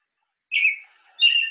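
American Robin: two clear, slightly slurred whistled phrases, each gently falling, separated by a brief pause, with no other sounds.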